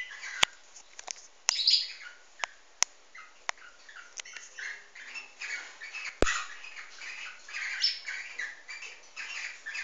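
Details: A mating pair of cockatiels, an albino and a white-faced bird, give raspy, buzzy chatter in quick bursts, with several sharp clicks or taps early on.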